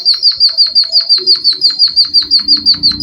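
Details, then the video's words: High, bright notes from a Java sparrow imitating canary song, repeated evenly about six times per second in a steady rolling trill; faint low room noise underneath. "Suara burung pipit bondol haji emprit kaji gacor"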